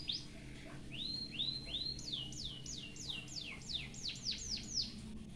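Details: White-headed munia delivering a canary-filled song meant for tutoring: a few slow arching notes give way to a quickening run of sharp, high downward-swooping whistles, a dozen or so in a row, with low constant hum behind.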